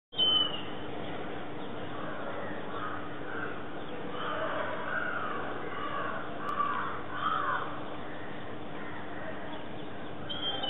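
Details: Indian grey hornbill (Ocyceros birostris), a resident bird of a campus in Colaba, Mumbai, gives harsh, cackling calls in short bursts over a steady low hum and background rumble.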